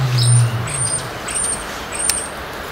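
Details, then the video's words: A male North African red-necked ostrich calls to get the attention of a familiar keeper in the neighbouring enclosure: a deep, low booming hum that fades within a second, then four faint, thin high beeps. He inflates his neck to call, a territorial behaviour especially in breeding season. "Strauß ruft"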